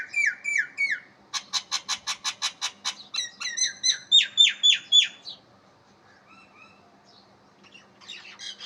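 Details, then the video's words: Unidentified bird giving a varied series of sweet calls: a few sliding whistled notes, then a fast, even run of sharp clicks about four per second, followed by hooked downslurred whistles, ending in quieter scattered notes. "اس پرندے کی مختلف پیاری میٹھی آوازیں سنیں"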